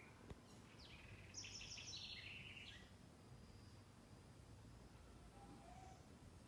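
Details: Green-winged Saltator sings a single bright phrase of clear whistled notes lasting about two seconds over a steady low background hum, recorded on Sunday 28 March 2021 at 11:30 in the morning.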